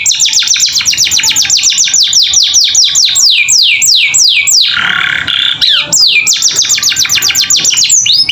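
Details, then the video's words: Training canary song for captive juveniles: quick falling whistles, a broad buzzy burst in the middle, then rapid descending notes again. "Masteran Kenari Gacor Isian Cocok Buat Paud Belajar Bunyi"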